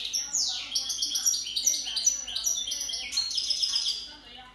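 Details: A hybrid of white-throated and white-collared goldfinch sings a fast, bright twittering song of high tinkling notes and buzzy trills, running continuously with brief slurred phrases.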